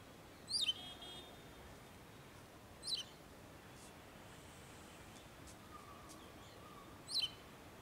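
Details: Wagtail collecting food for its young, calling between male and female: three sharp, high chirps falling in pitch, roughly every two to four seconds, over quiet background.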